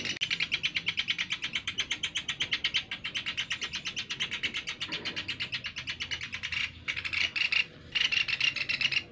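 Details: Sunda pygmy woodpecker (Yungipicus moluccensis) used as a lure call gives a long, fast run of sharp, high chattering notes, about six or seven a second, with brief pauses near the end.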